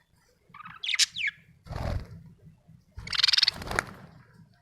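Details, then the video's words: Happy budgerigar chirping: a few sharp, bright chirps and short warbled notes in two bursts, separated by low rumbling background noise. "happy budgie chirping sound"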